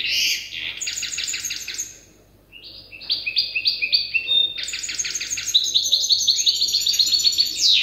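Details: Young goldfinch hybrid practising song learned from an older hybrid: bursts of rapid, rattling high trills separated by a short pause, then a long, varied, tinkling sequence of quick repeated notes.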